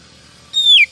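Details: Female Oriental magpie-robin in a 2023 trapping lure meant to excite males: a single high, steady whistle that bends sharply downward at its end, over a soft low hum.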